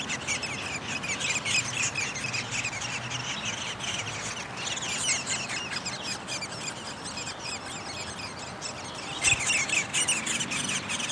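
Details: At a downy woodpecker nest while feeding goes on, recorded May 20, 2021: continuous high, raspy chattering of many overlapping notes, with a brief louder burst near the end.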